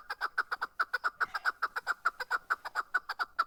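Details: Chukar partridge singing in Darvoz, Tajikistan, 2020: a long, steady series of loud, clipped chuk notes, about six per second, evenly paced throughout with little background noise.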